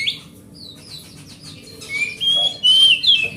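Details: Oriental magpie-robin of forest origin, kept at home, song used to coax silent magpie-robins into singing: scattered sweeping chirps, then loud clear whistled phrases with varied rising and falling notes, over a low hum.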